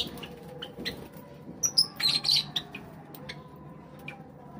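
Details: A group of Java sparrows calling while they eat. Scattered soft chirps build to a brief cluster of bright, high tonal notes in the middle, then fade to occasional clicks.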